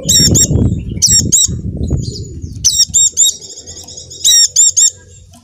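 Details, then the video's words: Song of a Javan dakun white-eye, meant to coax reluctant caged white-eyes into singing. Piercing high chirps delivered in tight clusters of two or three, with thin twittering between them and low fluttering noise in the first half. "pleci macet akan ikut bunyi dengar pancingan ini | pleci dakun jawa"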